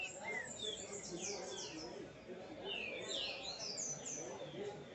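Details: Double-collared seedeater singing in the 'ponto 50' style with a 'puxada', a rapid series of thin, high whistled and slurred notes with downward sweeps, repeated throughout against a low background murmur and faint voices.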